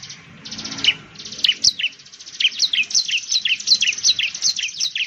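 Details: Bar-winged prinia, known locally as ciblek, singing loud high notes: sharp downslurred chips mixed with a fast, uneven run of bright ticking notes that continues almost without pause, over a faint low rumble.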